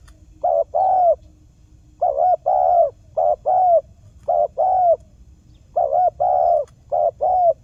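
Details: Mellow low cooing of a spotted dove used to lure wild doves into traps, steady two-note pairs repeated about every second and a half, each a short wavering coo and a held hoot.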